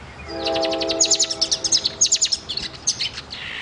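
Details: Singing pet bird, black and white with a silver beak, giving a dense stream of rapid high ticking chirps, roughly three per second, mixed with thin whistles, while a steady low humming tone sounds underneath for the first two seconds.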